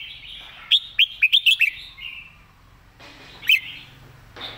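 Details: A red-whiskered bulbul delivers a quick run of five or six loud, clear, upslurred whistles, then a soft trailing warble, a pause, and one more bright whistled note.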